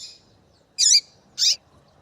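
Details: Two loud, sharp, high chirps about half a second apart from a female double-collared seedeater whose calling is meant to make a male sing. Otherwise quiet.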